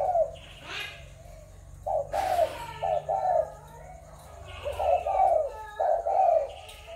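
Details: Spotted dove of Malaysian, Thai or Cambodian stock, recorded 21 November 2022: irregular bursts of two or three mellow coos separated by pauses, with a brief clatter and a low background drone.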